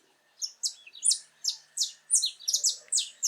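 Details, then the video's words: Saffron finch, wild in its natural habitat, singing a quick, crystalline phrase of sharp sliding chips that speeds up into a rhythmic rattle of closely spaced notes. "Canário da terra com lindo canto cantando muito na natureza"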